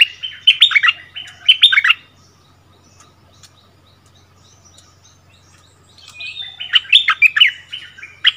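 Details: Decoy bulbul taken back to its old ground, singing a duel against the new territory holder in February 2021; two bursts of bright, jumbled warbling notes, separated by a quiet pause of about four seconds.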